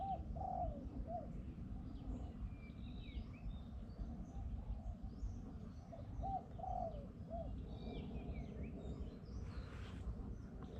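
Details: Spotted Dove in hill forest, morning, a wild bird responding to a decoy dove: soft, low two- and three-note coos, repeated twice about six seconds apart, over a steady low rumble with faint high chirps from other birds.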